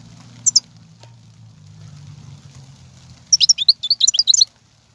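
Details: ['Wild European goldfinch song recorded in 2019, meant to spur caged goldfinches into singing: a lone high chirp, then a dense burst of rapid, sharp twittering notes over a low steady hum.']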